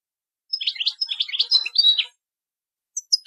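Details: European goldfinch singing Bayanam Ghazarat song to teach young birds: a two-second phrase of soft, quick, warbled twitters, then two brief high chirps.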